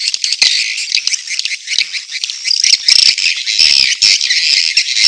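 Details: Edible-nest swiftlet courtship calling layered with chick calls: continuous shrill, buzzy twittering with thin whistled notes over it and scattered snapping clicks.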